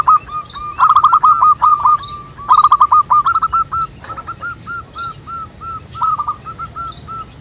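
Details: Several local wild zebra doves singing (manggung) together in nature: short hooked cooing notes repeated at a steady mid pitch, broken by quick stuttering bursts of rapid clipped notes, with faint higher chirps from other birds.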